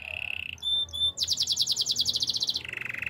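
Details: Canary song: a steady trill near 2.5k, then bright pure whistles, a fast high buzzy rattle of rapid repeated notes, ending in a lower trill.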